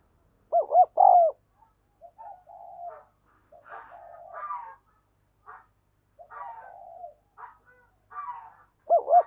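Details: Decoy spotted dove calling to bring wild doves in: a loud cooing phrase opens, followed by scattered softer, rougher calls, with another cooing phrase starting at the close.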